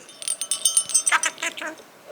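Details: A pet budgie, Pedro, who talks when a bell is shaken, gives fast, scratchy, high chatter mimicking speech, including swearing. A small bell jingles over background music.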